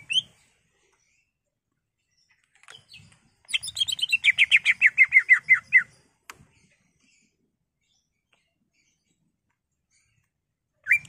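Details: Caged greater green leafbird singing to stir other birds into song: a lone short whistle, silence, then a rapid trill of about fifteen descending chipping notes lasting two seconds, followed by long quiet and a final whistled note.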